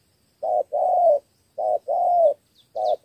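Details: A spotted dove from Cà Mau in Vietnam sings its 'thổ 3 âm' three-note style. Two short-long cooing pairs are heard, the drawn notes slightly wavering, and a third short note begins at the end.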